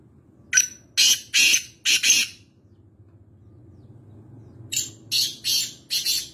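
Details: Black francolin (black partridge, kala teetar) at home in Nawabshah, Pakistan, giving two harsh, grating phrases of about four rasping notes each, separated by a short pause; nothing else heard.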